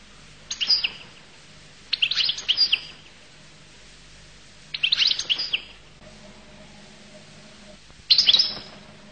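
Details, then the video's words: Goldfinch song from Collo: four dense bursts of rapid, tinkling twitters spaced two to three seconds apart, with quiet pauses and a low background hum. "تغريد حسون القل"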